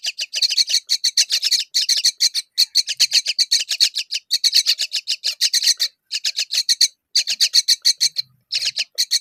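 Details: Myna mother feeding figs to her babies; loud grating chatter of quick repeated raspy bursts, pausing briefly every second or two before resuming.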